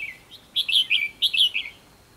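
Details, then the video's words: Red-whiskered bulbul singing a fighting song during trapping, using a caged decoy bird; short bursts of bright, bubbly warbled notes in two phrases, each a quick run of chirps dropping slightly in pitch, with faint background hiss. "Bẫy đấu chim chào mào"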